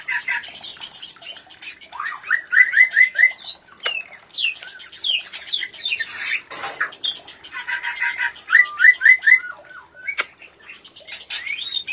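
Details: White-rumped shama breeding sound played to prompt other shamas to mate: series of quick rising whistled notes in short runs, mixed with clicks and scratchy chatter, a loud broadband burst midway.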